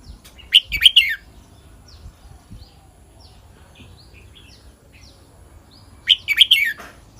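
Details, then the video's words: Red-whiskered bulbul singing in the Thai 'kwik-jok-khwai-liang' song style: two bright, rich whistled phrases of three or four quick notes, about five seconds apart, with faint thin chirps from other birds in between. "เสียงนกกรงหัวจุก [ควิก-จ่อก-ไขว้-เลี้ยง]"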